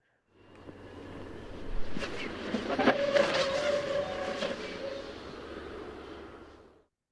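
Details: Black Vulture flight display, recorded directly overhead: a loud, rushing vocal roar that swells and fades over about six seconds, like a fast jet passing, with a faint hum midway.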